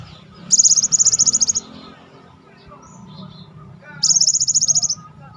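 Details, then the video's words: Cinereous tit, called gelatik batu, in a master recording for stimulating silent birds: two dry, buzzy trills of very rapid high ticks, each about a second long, separated by a stretch of faint background noise. "pancing dengan masteran Gelatik batu gacor ini yang bengong auto gacor"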